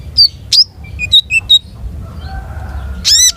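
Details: Long-tailed shrike in vigorous song with a rich repertoire: sharp high chirps and short whistled notes in quick irregular bursts, a few clear mid-pitched whistles, ending in a loud harsh upward squeal over a low steady hum.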